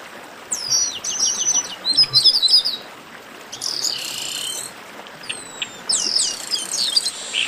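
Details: Chestnut-capped blackbirds calling in a noisy group, spaced bursts of high twittering chirps, a buzzy rasping phrase and sweeping falling whistles separated by quieter gaps.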